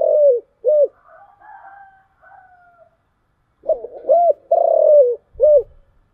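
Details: Spotted dove luring coos in the 'giọng thổ' style. The end of one phrase is followed by faint drawn-out tones, then a full phrase of short hoots, a long vibrating coo and a final note. Soft low thumps are heard at the close.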